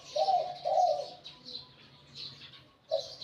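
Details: Spotted dove, a wild-caught decoy bird with a medium-to-large voice. A two-note low coo phrase is followed by a single coo at the end, over faint high bird chirps.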